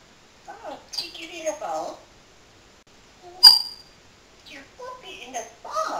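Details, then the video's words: Talking parrot mimicking human speech indoors, repeating a name it learned from hearing its owner; short speech-like phrases in a clear, voice-like tone with pauses and a sharp click midway. "BEST TALKING PARROT IN THE WORLD"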